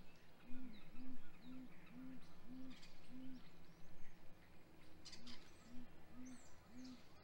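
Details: Great grey owl calling at the nest on a spring morning, 27 April 2020, as the male delivers prey to the female. Six low, rounded hoots come at an even pace, then a short pause and four more, with distant songbird chatter.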